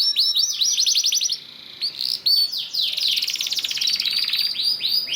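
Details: Vigorous canary lure song in long 'ngerek' style, meant to make other canaries sing: quick falling sweeps run into a fast buzzy trill, a brief hush, then dense rolling trills.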